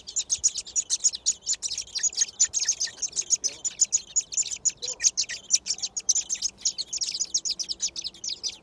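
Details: Begging of six young thrushes in their nest in a garden at feeding time. A steady chorus of thin, very high chirps, rapid and overlapping, rising and falling in loudness, with faint low rustles beneath.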